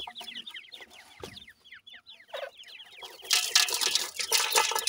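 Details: Grey francolin chicks of the Sindhi variety during feeding: bright falling cheeps pour out in quick series for about three seconds before loud hissing, rustling noise takes over.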